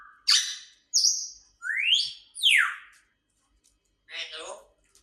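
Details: Grey parrot producing loud swooping whistles, one rising steeply and the next falling, after a short flat tone, then a rough grating call closing the sequence.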